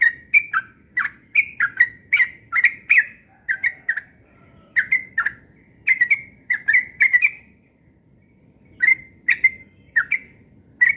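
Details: Morning song of a yellow-vented bulbul, delivered persistently: rapid chains of liquid, warbled notes that bend down then up, bursts separated by brief pauses, one longer gap near the middle, over a soft low rumble.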